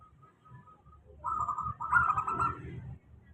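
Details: Local zebra dove lure song, steady, used to prompt lazy-singing doves; soft faint notes lead into one loud rippling, trilled cooing phrase of two parts lasting under two seconds, low background hum.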